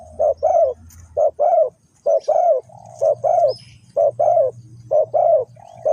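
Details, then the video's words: Spotted dove used as a lure to trap wild doves in Ninh Thuận, Vietnam, gives evenly spaced double and triple coos over a steady low hum, with a faint high chirp partway through. "The Sound Of dove"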